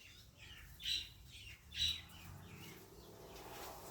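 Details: An African grey parrot gives two short, bright squawking calls nearly a second apart, each a quick burst with a sharp high tone, followed by quieter fainter sounds against low room hum.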